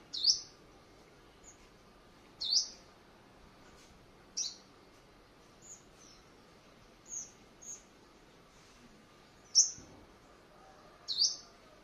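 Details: A white-bellied sunbird (five-colour sunbird), a kept decoy bird taken out for morning exercise on 21 May 2020 in Quảng Ngãi, Vietnam, gives sharp, very high, thin notes about every two seconds, with a few softer chips between, over a quiet hiss.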